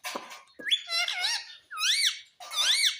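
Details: Green ringneck parakeet kept as a pet, talking indoors and reported to say "mummy": a string of rich, wavering, speech-like syllables with bending tones, in three or four phrases separated by brief pauses.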